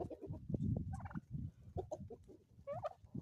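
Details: Chickens on a homestead in the Ozarks in the morning, low soft clucking murmurs with a few higher squawky notes, over rustling background noise.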